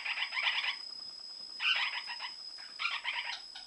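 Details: Lineolated parakeet in breeding season: three clusters of harsh, fast-stuttering chirps, each about half a second long, separated by brief pauses, with a steady background hum in a room.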